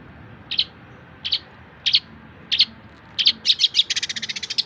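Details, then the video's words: Long-tailed shrike singing as tutor material for songbirds: spaced single chirps that quicken into a dense, rapid rattling trill of short notes at the end. "Cendet masteran full materi voll++"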